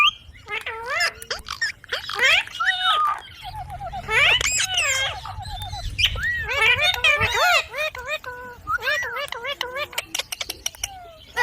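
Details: Rose-ringed parakeet talking in lively, shifting word-like bursts of curved, sliding syllables, the phrases growing denser toward the middle and trailing into scattered shorter notes.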